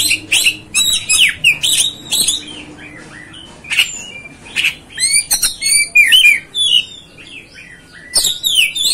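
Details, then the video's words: Kacer, the Oriental magpie-robin, pouring out rich whistled notes mixed with harsh scratchy bursts and clicks, in irregular bouts broken by short pauses. "MEMANCING | MEMBAKAR EMOSI KACER ANDA"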